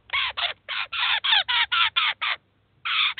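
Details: Eurasian jay and its chicks at a city cheese feeder in Kaluga, Russia, the parent feeding and teaching the young; ten loud, hoarse rasping calls in quick regular succession, a short silence, then one more.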